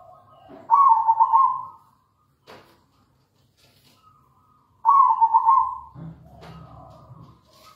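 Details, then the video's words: Local zebra dove, or perkutut, singing strongly in a lure recording to set other doves singing: two rolling, trilled coos about four seconds apart, followed by a click and a low rumble. "PANCINGAN PALING AMPUH PERKUTUT LOKAL GACOR"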